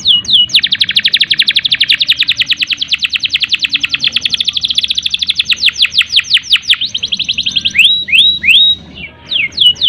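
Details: Long canary roll intended to spark breeding urge in listless canaries: an extended, very fast high trill lasting several seconds, slowing into sweeping slurs and a few rising whistles near the end.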